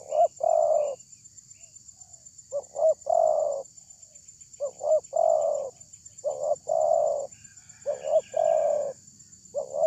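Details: Loud-voiced spotted dove lure call meant to draw a response from other doves: phrases of two short coos and a longer, slightly falling coo, repeated about every two seconds over a steady high-pitched hiss.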